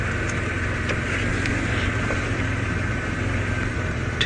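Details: Steady low rumble of an idling vehicle engine during an early-morning safari drive, with no animal calls heard.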